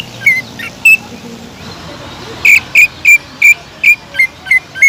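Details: Greater green leafbird in song used to bait rival leafbirds: scattered whistles early on, then a regular series of strong, sharp whistled notes roughly every third of a second.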